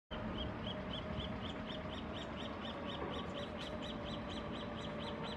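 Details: Roadside hawk (Rupornis magnirostris), a resident of the Bogotá savanna but scarce at the site, calls on a morning in an urban ecological park and corridor on 17 November: a fast, even series of sharp, high nasal notes, about four each second.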